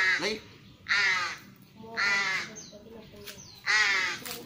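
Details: Tame young ravens being trained to come when called: three harsh, rasping caws spaced about a second apart, with faint higher squeaks between them and a brief voice at the start, indoors.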